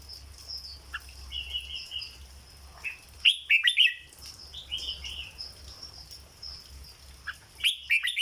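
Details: Caged red-whiskered bulbul singing the legendary 'dok' song style, with short chirpy warbled phrases in bursts and sharp loud notes around the middle and at the end, separated by quieter gaps over a low steady hum.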